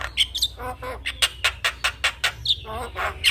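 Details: Javan myna song used as master and lure for young birds: evenly spaced harsh rasping notes about five per second, some capped with brief whistles, one rising squeal near the end.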